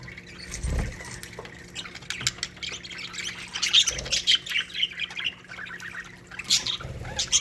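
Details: Budgerigar colony in an aviary, many birds chattering at once with squawks, quick chirps and warbled phrases in bursts, a few low thuds, and a constant faint hum.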